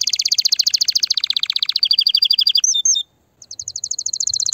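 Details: Excited canary song meant to prepare females for mating: long rapid rolling trill, a few looped whistles, a short silence, then a high fast trill.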